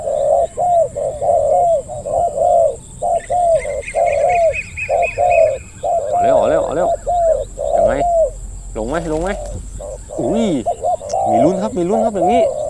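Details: Spotted dove at a decoy-hunting site as a second bird arrives, giving deep 'khu ang' coos: rapid, repeated low hoots in a steady run, overlapped midway by a man's excited talking.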